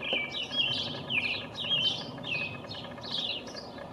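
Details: American robin (Turdus migratorius) singing from the top of a pine tree on 5/6/19, possibly a male proclaiming territory: a steady run of clear, slurred whistled phrases, each rising or falling, about one every half second, over a faint background hum.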